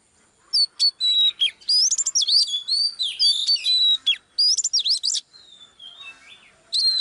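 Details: Oriental magpie-robin female, heard live while firing up a male, pours out a steady stream of clear whistles, upslurs and downslurs with quick chattering notes, pausing briefly near the end.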